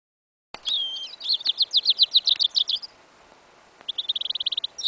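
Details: Goldfinch × canary hybrid (yellow isabella), recorded in a field in winter, January 2015: a high twittering phrase, then a fast run of repeated chirps, a pause, and a second quicker buzzy trill.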